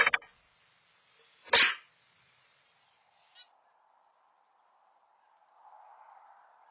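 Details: Black-capped Chickadee hiss alarm ('snake display'), given inside the nest, typically by a startled incubating female when an intruder tries to enter: two sharp, explosive, breathy hisses about 1.5 s apart, often with wing-slapping on cavity walls; a soft low rumble follows.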